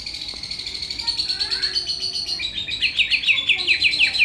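Greater green leafbird in bright, high chattering song, then a run of quick, sharply falling whistled notes, roughly two each second.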